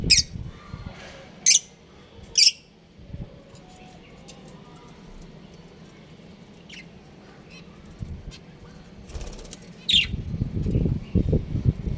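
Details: Breeding pair of pet budgerigars chirping, with a few short, sharp high chirps spaced a second or more apart, then a long quiet stretch and one more chirp near the end over low rumbling room noise.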